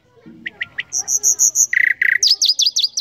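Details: A short burst of nightingale song: a few sharp chips, a series of high ringing whistles, then rich buzzy notes and a fast trill, all in three seconds.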